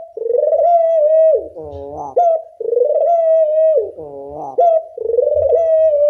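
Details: Loud dove call used as a lure for training doves: drawn-out, smooth coos broken by a lower, nasal, layered note and a short, sharp upward note, in a pattern repeated about every two seconds.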